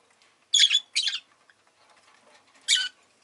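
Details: Rosy-faced lovebird giving three sharp, shrill chirps: two close together, then a single one after a pause of about two seconds.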